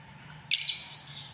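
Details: Fischer's lovebird giving a single sharp, high-pitched shrill chirp. The note opens abruptly, then fades over about half a second, with quiet background before it.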